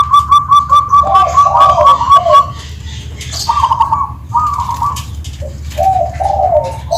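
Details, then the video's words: Perkutut of the Tuban style, a zebra dove, singing a clear crystal-toned song: rapid trilled coos near one pitch, then lower rolling cooing phrases, repeated in bursts with short pauses; faint chirps and a low background hum. "Suara Kristal,perkutut Tuban"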